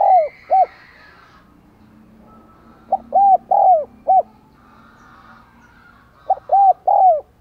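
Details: Caged decoy spotted dove of 'giọng đồng còi' voice, calling to spur wild doves to coo. Three hollow phrases of four to five rounded notes, the longer middle coo sliding downward; faint higher bird calls sound in the gaps.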